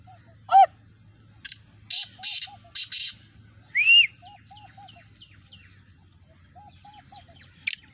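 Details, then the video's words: Black francolins in a calling contest give short harsh rasping bursts amid other birds' clear whistled and chirping notes, including a rising whistle and a repeated low hooting phrase. "Kala Teetar Kaly Teetaron ka Muqabla Kala Teetar ki Awaz"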